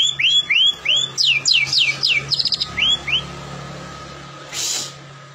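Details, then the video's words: Murai batu, a white-rumped shama, in constant lure song meant to coax other shamas into singing: rising whistles and steep falling notes for three seconds, then near silence with a brief hiss and a low steady hum. "Pancingan Ampuh Murai Gacor 99%"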